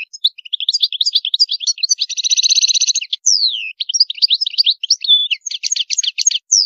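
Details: European goldfinch singing in a style with high maqamat: rapid twittering, tinkling notes, a dense buzzy rattle around the middle, then clear descending whistles and quick chirp runs, continuous and lively throughout.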